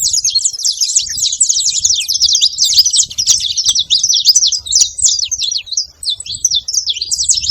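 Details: Saffron finch singing a dense, fast stream of high, sharp chirps and twitters, run together almost without pause, with faint low rumbling underneath.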